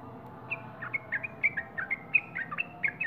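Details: Sooty-headed bulbul giving a quieter string of short, slurred whistled notes at an uneven pace, some dipping then rising, against a steady low hum.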